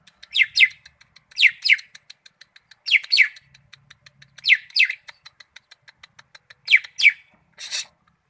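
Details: Greater green leafbird song: sharp, high, downward-sweeping chirps delivered in quick pairs, the pairs repeated about every one to two seconds, with soft rapid ticking notes filling the gaps between them.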